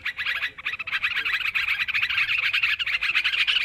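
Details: Noisy sooty-headed bulbul calls from a bird-luring recording: quick, rattling chirps that start in separate bursts, then thicken into a continuous, slightly squeaky chatter.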